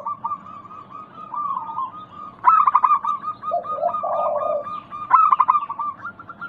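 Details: Local zebra doves in a lure recording meant to set other doves calling: several birds overlap in rolling, pulsed cooing phrases, with lower bubbling coos midway and bursts of sharper stuttered notes at about two and five seconds.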